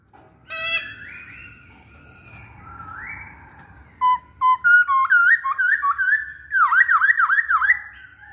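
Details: Masked laughingthrush singing actively: a rising drawn whistle, then a run of loud, clear whistled notes with wavy, dipping inflections, repeated several times per second and growing more rapid toward the end.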